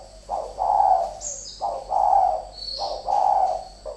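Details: Spotted dove, one of two fighting decoy birds, repeating a loud rolling coo about every 1.3 seconds, each preceded by a short clipped note; faint high squeaks between.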